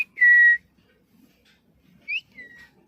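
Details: Talking parrot kept as a pet whistling: one loud, level, pure whistle lasting about half a second, then a short upward-sliding whistle and a softer falling note after a pause, in a quiet room.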